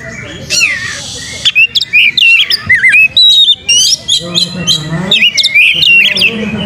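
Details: Oriental magpie-robin singing actively, used as a lure to spur other birds into tail-spreading song: loud varied whistles, sharp upslurred and downslurred notes and rapid chattering phrases, with short silent gaps between bursts.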